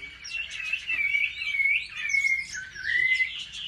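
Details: Chinese hwamei giving competitive fighting song while trained at home, a bird described as having a pure wild voice; loud whistled phrases swooping up and down, with several sliding notes held briefly between quick embellishments.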